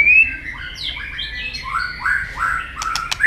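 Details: White-rumped shama fighting song used for training, a bird heard with a wagging tail: clear whistled phrases gliding up and down in varied notes, ending with sharp clicking ticks.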